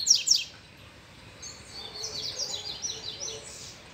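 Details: Loose male double-collared seedeater responding to an approaching female: two sharp high chips, then a quick run of buzzy, slurred high notes sliding down and repeating for about two seconds, with light background hiss.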